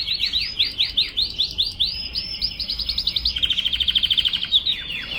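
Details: Young canary firming up its song: rapid series of sweeping chirped notes, then a fast, even, buzzy trill and a few closing slurred notes, bright and high, with faint low background rumble.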